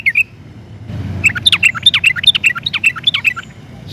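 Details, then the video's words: Lively sooty-headed bulbul, or trucukan, used as a lure to prompt other bulbuls to sing. A brief pair of notes, then a jumbled run of varied bubbly chirps rising and falling in pitch over quiet background noise. "Kicau Suara Trucukan Gacor Ini, Pandai Buat Pancingan Trucuk Agar Jadi Gacor"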